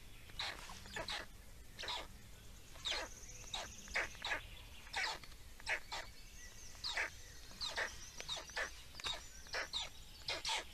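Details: Black storks feeding in Estonia, 17 May 2019; loud hoarse, hissing bursts come in uneven series, some doubled, across ten seconds, with thin high whistles laced between them and a faint low hum.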